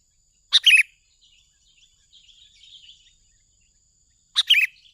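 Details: Sooty-headed bulbul lure call, used for attracting birds and as master sound: two short, loud, bright chirp bursts about four seconds apart, with faint soft twittering between them.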